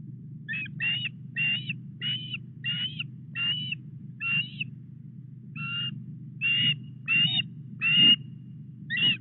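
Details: Osprey at the Llyn Clywedog nest, Wales, on 4 August around 09:33 during delivery of a headless fish; a long series of short, clipped whistled calls with harsh overtones, irregularly spaced, over low wind-like rumble.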